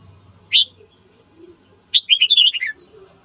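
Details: A red-whiskered bulbul sings at morning to spur fighting: one sharp high note, a gap of over a second, then a quick tumbling sequence of warbled whistles falling in pitch.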